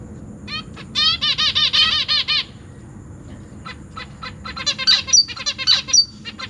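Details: Captive zebra finch family with newly fledged chicks that recently left the nest and are being fed by busy parents: chicks beg with rapid, harsh, buzzy bursts, about four a second, mixed with sharper high chirps from other birds.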